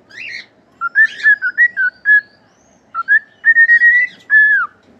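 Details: Whistled cockatiel song for training pet birds: a brief scratchy note, then a series of clear, short whistles and longer drawn-out level whistles with slight upward bends, with soft background murmur.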